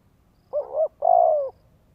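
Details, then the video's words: Spotted dove, known in Vietnam as cu gáy, calling to stimulate a male. One phrase: a brief two-note hoot, a tiny pause, then a long, steady, gently falling coo lasting about half a second. "Chim Cu Gáy Thúc Gù Kích Bổi Nhanh Nổi - Cu Gáy Thúc"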